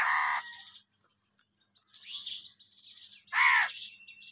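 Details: Two loud, coarse caws from crows fighting for food, one at the start and one near the end, separated by softer rasping and scratchy sounds.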